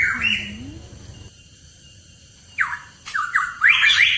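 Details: Lure recording of a hooded pitohui: a rising whistled note, a long quiet gap, then harsh downslurred whistles and a fast, squawky burst of notes, with some background noise.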